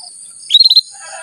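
A canary gives a quick burst of five sharp, high chirps in about a quarter second, over a steady thin hiss.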